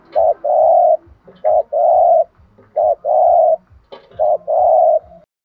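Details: Spotted dove cooing, used to provoke other doves to call: low mellow coos in phrases of a short note followed by a longer drawn-out coo, repeated about every 1.3 seconds, with soft low thumps beneath.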